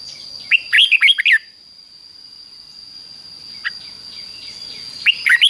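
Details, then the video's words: Training song of a caged Red-whiskered Bulbul in doubled 'beun' style, fik-jik-fok: a full phrase of five quick warbled whistles, a lone note later, then the next phrase starting, with a continuous high whine behind. "นกเบิ้ลอาชีพง่ายๆ ฟิก-จิก-ฟก ล้วนๆ เปิดไห้ลูกนกฟังทุกวันติดแน่นอน"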